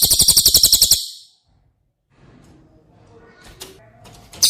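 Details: Cililin, used as training song for a caged White-rumped Shama, gives a high, rapid rattling trill for about one second. Silence follows, then faint background noise and a couple of clicks.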